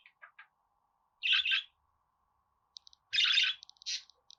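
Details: Budgerigar calls: a few faint short chirps, then brief buzzy, grating bursts set apart by silence, with scattered tiny clicks between them.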